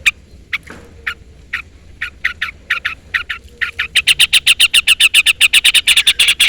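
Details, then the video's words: Long-tailed shrike call used as a lure to challenge a rival and provoke a reply: spaced rasping notes, some doubled, that speed up midway into a loud, rapid, steady chattering series. "pancingan cendet gacor full isian CUITAN MEMANGGIL LAWAN"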